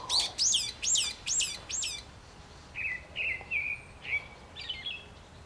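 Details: Brown-eared bulbul singing in spring: five loud, high, descending squealing notes in quick succession, then a softer series of short whistled chirps repeated about twice a second.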